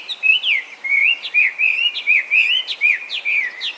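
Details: Chinese hwamei, an invasive species in Japan, feral after escaping or being released from captivity, known to mimic other birds: loud, rich whistled song of rapid slurred phrases rising and falling, delivered almost without pause.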